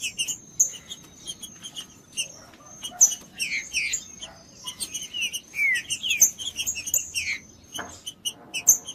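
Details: Green-winged saltator singing, kept for breeders to warm up other saltators and train young birds: busy run of short chirps and slurred whistled phrases, some rising, with sharp high ticks throughout.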